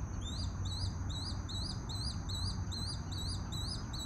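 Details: Adult swallow-tailed kites, with a juvenile among them, preening during their morning routine; high, thin whistled notes that rise then fall, repeated about three times a second, over a steady low rumble and a faint insect drone.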